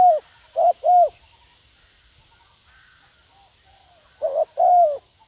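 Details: Spotted dove decoy cooing to draw in wild doves: three soft, hollow coos, then a gap of about three seconds with faint distant notes, then two more coos, the last drawn out and falling.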